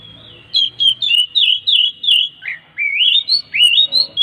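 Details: Oriental magpie-robin singing a lively sequence of repeated whistled notes, some upslurred, some dropping, with a soft low hum underneath. The song is meant to coax other magpie-robins into song.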